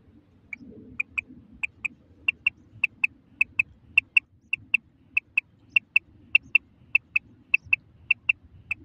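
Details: Calls of a female common quail, as used in netting: crisp clicking notes paired in quick doublets, repeating about every half second for the whole stretch, low murmur beneath.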